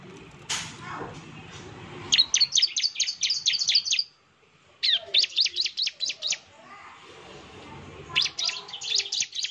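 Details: Lure song of a Bar-winged prinia, meant to provoke a reply: after a sharp swishing sound, repeated bursts of rapid, high, slurred chirps, each burst around eight notes, with short silent gaps between.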